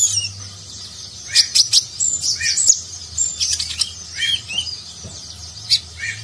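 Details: Konin, the purple-throated sunbird, sings a nagen-style song as a training master for contest birds. A thin, high twittering flow with scattered sharp chips and short descending slurs.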